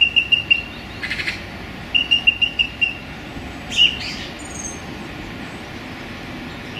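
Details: Song thrush singing in a small London park on a sunny January day: quick bursts of short, high, clipped notes in tight groups, with a rushing noise and a few scattered sharp notes between.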